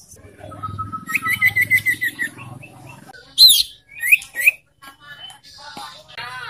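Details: Young sirtu (scarlet-headed flowerpecker) used to prompt caged birds into song: a rapid series of short, high, evenly repeated notes, then a few louder, sharp, falling chips, over a faint low hum.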